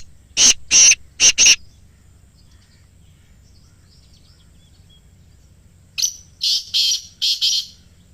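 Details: Kala teetar, or black francolin, calling near Islamabad, played to captive birds to start them calling: a loud cluster of four harsh, scratchy notes, a pause of several seconds, then five more grating notes in quick succession.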